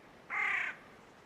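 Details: Great egret (Ardea alba), call.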